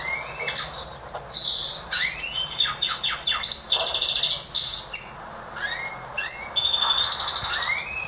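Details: Singing goldfinch x Lizard canary hybrid: high buzzy trills and rapid chatter broken by short pauses, with a few upward-sliding whistles between the bursts.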